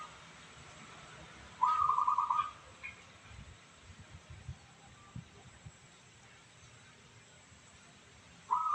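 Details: Local zebra dove, praised for a crystal-clear voice, gives one rapid, rolling trilled coo lasting under a second, then starts another phrase at the very end; quiet background hum between phrases.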